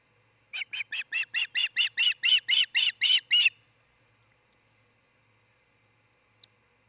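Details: Nesting osprey in Charlo, Montana, recorded by nest cam on a June 2018 morning: a run of about twelve rapid chirping whistles that build in loudness, then stop abruptly, followed by quiet.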